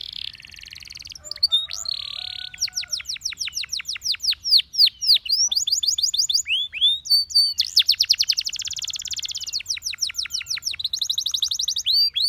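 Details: Russian singing canary performing a varied song meant to attract other canaries: buzzy trills, rapid descending whistled notes repeated in fast series, and sustained rolling tours, all high-pitched and continuous.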